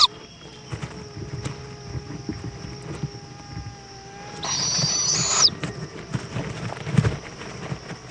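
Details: Owl at its nest in Indiantown, Florida, February 11, 2014, 7:20 pm, mother returning with a bug for her young: one hoarse, airy screech about a second long amid soft background rumble and clicks.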